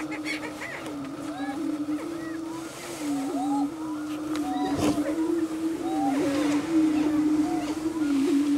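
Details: Prairie chickens in courtship display on a lek at Bluestem Prairie near Dilworth, Minnesota, making a steady, low, humming moan with many short rising whoops and yelps layered on top.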